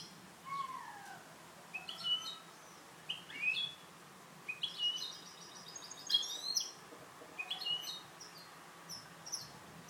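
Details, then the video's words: European goldfinch hybrid kept for song training delivers sparse, bright twittering: sliding whistled notes, short tinkling trills and high clipped chirps in loose phrases, quiet against a low background hum. "MIXTO JILGUERO CANTO LIMPIO"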